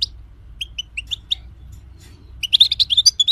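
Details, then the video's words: European goldfinch singing as a tutor for other songbirds: spaced bright chirps followed by a rapid, liquid twittering phrase of high tinkling notes, faint low hum beneath. "Gold Finch singing 2020|Carduelis carduelis"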